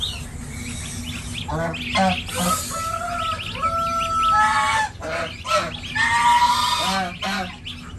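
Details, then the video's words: Domestic goose with a six-day-old gosling on a village farm in India; bursts of harsh, stacked honking calls alternate with long, steady, nasal tones, and faint high chirps and low rumbling farm noise run beneath. "Funny Baby Gosling Day 6 | Gosling | Goose | Baby Goose"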